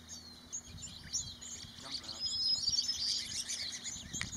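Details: White-crowned sparrows at Corn Creek, Desert National Wildlife Refuge, Clark County, Nevada, on 19 March 2018 give thin, high chips and twitters in a busy run, with wingbeats and a low background rumble.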